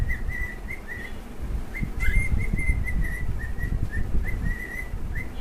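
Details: Two pet cockatiels singing: short clear whistled notes on a steady pitch, repeated in quick succession, some rising or falling slightly, over a low rumbling indoor background hum.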